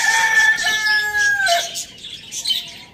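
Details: Rooster at Lalukhet bird market, housed with hens, chicks and budgies, finishing a crow: a sustained harmonic note that dips and trails off after a second and a half, leaving sharp budgie chirps.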